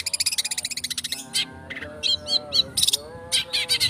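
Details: Long-tailed shrike song used as a lure to provoke singing: a rapid rattling trill, then harsh scratchy bursts and short chattering notes over steady lower tonal sounds.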